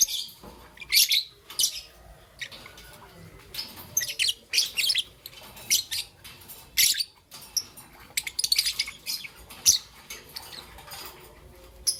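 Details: Green and yellow young peach-faced lovebird chattering in the morning, a long stream of shrill, scratchy chirps in irregular clusters with brief quiet gaps between bursts.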